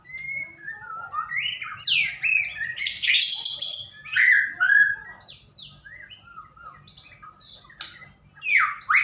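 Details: Lure song of a white-rumped shama to encourage another to sing: loud, fast-changing phrases of sweeping whistles and buzzy notes, pausing briefly, then resuming with sharp upward and downward slurs.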